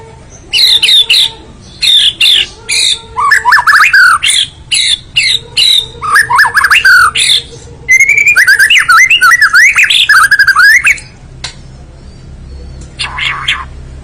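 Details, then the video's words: Long, varied performance by a white-rumped shama: rich whistled phrases, rising and falling slurs and chattering runs in rapid bursts over a constant low hum. "kicau murai batu.. fuul isiaaan"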